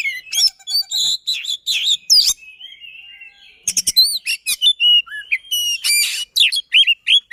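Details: Oriental magpie-robin (kacer) pouring out a rapid, tightly packed song for stirring silent magpie-robins: stacked pulsed notes and chirps, a quieter warbled stretch, then bright looping whistles and sharp chips.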